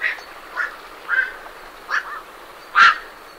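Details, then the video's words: Night herons leaving a roost utter a handful of gruff croaks, the last one loudest, while great reed warblers keep up a low, grating chatter behind them. "Night Heron Calls / Night Heron. Calls MCU From Birds Leaving Roost"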